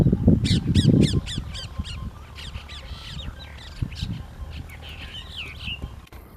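Brahminy starling giving quick, sharp, repeated notes, about four a second, then a jumble of varied whistles and squawks, with a low rumble at the start.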